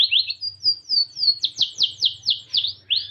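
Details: White Norwich canary singing: a fast series of bright, sweeping whistled notes, first rising rolls, then repeated downward-sliding slurs, with a short phrase every third of a second and a faint low hum beneath.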